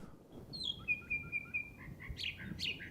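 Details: Northern Mockingbird in Lancaster County, mimicking killdeer, blue jay and other species, sings a varied run of borrowed phrases: a sharp high note, a long level whistle, then quick burry, slurred notes over a faint low hum.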